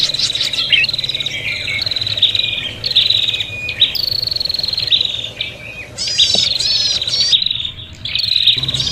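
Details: Prinia calls used to lure birds, noisy and combative: sustained buzzy high trills broken by sharp chips and rapid rising notes, with brief pauses between bursts.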